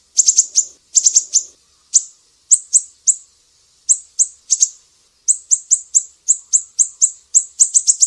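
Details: Sumatran mangrove whistler, besetan-style master recording for teaching songbirds: very high, sharp clipped notes in quick bursts of two to four, separated by short pauses, then a steadier ticking run at the end.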